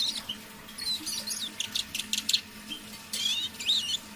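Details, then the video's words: Eurasian siskin kept as a caged decoy bird, singing in a soft undertone in the evening; high, fast twittering with thin whistled slurs and buzzy chatter in quick bursts. "Песня моего манного чижа"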